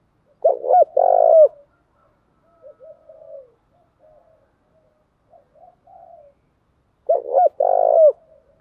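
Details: Spotted dove coos, male and female, a recording used to get kept doves cooing; two strong rolling two-part phrases about six and a half seconds apart with soft scattered low notes in between.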